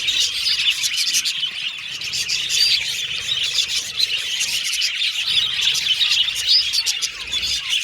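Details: A group of pet Australian budgies warbles and chatters. Quick high twitters and short whistled notes overlap continuously, with occasional sharper rising squeaks standing out.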